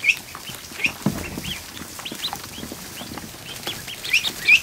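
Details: More than a hundred newly hatched ducklings in a kiddie pool in a barn on an afternoon; high, short peeps sound scattered throughout, some with rising and falling tones, over faint splashing and shuffling.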